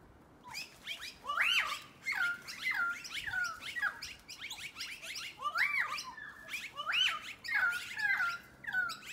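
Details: A group of noisy miners calling before dark: steady overlapping chatter of sharp, arched notes rising then dropping, repeated throughout with a few louder peaks standing out from the busy flock.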